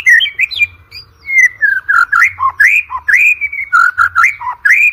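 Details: White-rumped shama song for coaching contest birds: continuous flowing whistled phrases, rising and falling in rapid succession, rich and varied, with brief breaks between bursts.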